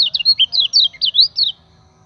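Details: Common iora, singing as a lure for training other birds: a bright series of about nine whistled, swooping notes over one and a half seconds, some rising, some falling.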